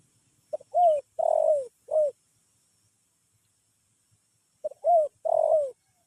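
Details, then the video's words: Spotted dove calling in a sleepy style: a quick grace note, then three mellow coos, the middle one longest and drooping, repeated after a pause of about two and a half seconds in otherwise quiet surroundings. "SUARA TEKUKUR NGANTUK"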